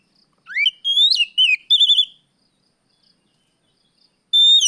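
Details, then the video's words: Afternoon song of an Oriental magpie-robin, riwik plong style, played as a lure to draw out untrained birds: a quick series of rich, slurred whistles, one sweeping steeply upward, separated by short gaps, then a final clear whistle. "suara Kacer sorehari riwik plong pancingan Kacer bahan"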